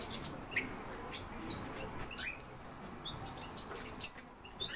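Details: European bee-eaters give brief high chirps in quick, uneven succession, roughly one and a half per second, against a constant low rumble.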